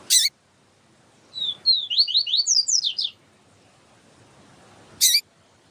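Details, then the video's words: Double-collared seedeater, Sporophila nigricollis, kept bird with a female calling to excite the male: a quick run of high descending slurred chirps lasting about two seconds, framed by two sharp click-like bursts. "Papa capim siu siu com Fêmea chamando para Esquentar papa capim siu siu"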